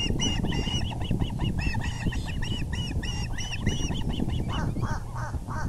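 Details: Osprey at its nest on an April 6, 2020 evening, 6:30pm, as the male brings a big fish: rapid whistled chirps, arched and harmonic-rich, repeated about four per second for nearly five seconds, over steady low rumbling background noise.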